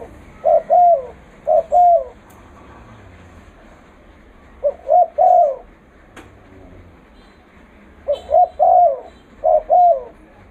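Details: Spotted dove kept as a trapping lure, cooing loudly in paired low notes, each a short coo and a longer falling one, given in bouts separated by pauses of a few seconds, over a faint background hiss.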